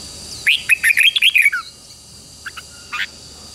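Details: Red-whiskered bulbul, a wild-caught bird in training to sing, delivers a single lively phrase of about eight bubbly, whistled notes in roughly one second, followed by two brief soft chirps.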